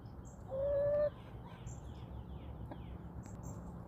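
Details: A chicken roaming in a backyard gives a single loud, steady, mid-pitched call lasting about half a second. Faint descending songbird chirps and quiet outdoor ambience continue around it.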